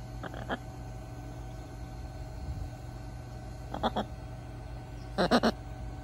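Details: A scarlet macaw answering the telephone talks in a hoarse, grating voice: three short word-like bursts across six seconds, the last a rapid double syllable, over a steady low hum.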